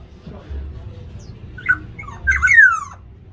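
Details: Black-naped oriole clashing with others over territory in an aviary; two harsh, nasal calls, the second louder and sliding downward, set against a steady low hum.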